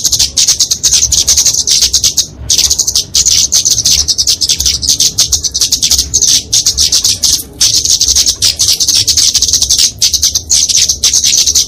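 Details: Kemade flowerpecker singing its fighting song, meant to train and attract small cage birds: an almost unbroken stream of shrill, fast, sizzling twitters, broken only by a few brief pauses.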